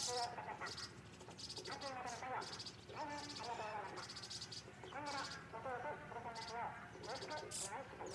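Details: White-cheeked starlings feeding, devouring the food in no time; harsh, creaky chattering calls overlap almost continuously, mixed with scratchy, noisy high bursts.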